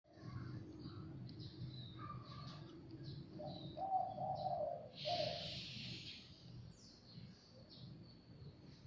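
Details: Zebra dove, a wild bird that came to a house on its own, gives soft mid-pitched cooing notes around the middle of the clip, with other small birds chirping high above and a low background rumble.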